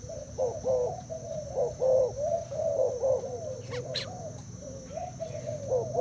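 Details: Spotted dove from Thailand, caged, cooing against a decoy bird. Quick bursts of throaty mid-pitched coos, some stacked and louder, with a couple of sharp clicks and a low hum underneath.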